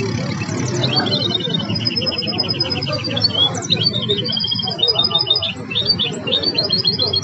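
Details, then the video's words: Learned song of a goldfinch hybrid, styles named Belghith, Jnan al-Hasira and Si al-Fahm: long buzzy trills alternating with quick twittering bursts and swooping notes, set against a constant low noisy background. "الهجين الأسطوري الذي أثقن تغريد طائر بلغيث وجنان الحصيرة والسي الفحم"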